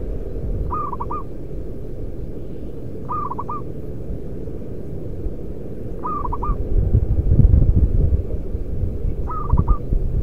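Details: Local Indonesian zebra dove, a loud-voiced lure bird, cooing: a short rolling phrase of quick stuttered notes ending in a held coo, repeated four times about every two and a half seconds over steady low rumbling background noise.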